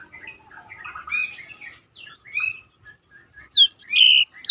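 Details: Black-throated canary singing, used for contest-bird tutoring: soft, jumbled twittering notes build into louder, clearer whistled slurs and a buzzy note toward the end.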